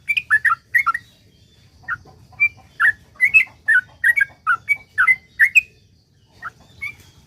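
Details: Long, energetic song of a sooty-headed bulbul, used as a lure to get other bulbuls singing; quick runs of mellow, bubbling whistles, then sparser single notes and a pause near the end.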